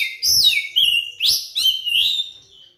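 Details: Oriental magpie-robin (kacer) lure song, used to prompt silent magpie-robins into singing: clear, loud whistled phrases that slide down from high to mid pitch, about five separate notes in under three seconds with short gaps.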